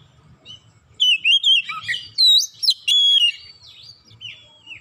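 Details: Oriental magpie-robin song used to provoke other magpie-robins into singing: after a second of quiet, loud clear whistled notes with sliding upslurs and downslurs, delivered in short bursts separated by brief pauses, then softer trailing notes.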